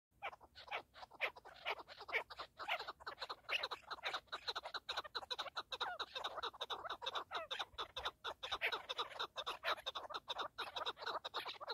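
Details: Partridges calling in a dense, continuous chorus of harsh, rapid chattering notes that overlap throughout, with no quiet gaps between them.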